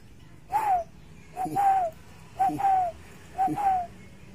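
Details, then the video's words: Tame pair of spotted doves, kept about ten to eleven months and alternately caged and released into the wild; four soft two-part coos, a short note then a longer slurred one, repeated roughly once a second, with a low background hum. "Sepasang Burung Derkuku Jinak Gacor"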